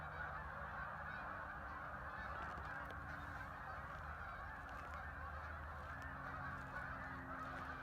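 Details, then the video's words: A vast gathering of arriving ducks at Hockanum River Linear Park, Vernon, Connecticut, their overlapping calls forming an even, distant roar over a low background rumble. "thousands of ducks arrived making a strange noise"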